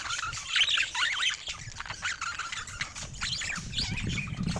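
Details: Pet budgerigars in a group give rapid twisting, whistled warbles and scratchy chirps in bursts, over a faint low background hum.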